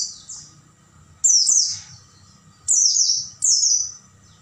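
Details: Night recording of an Oriental white-eye for tutoring caged birds: a faint opening twitter, then three loud, high, rapidly descending trilled phrases about a second apart, with low background murmur.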